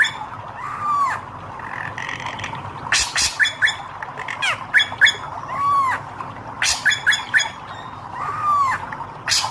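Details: Red-eyed hair-crested drongo singing: recurring downcurved whistles separated by dense bursts of sharp clicks, chatters and metallic squeaks.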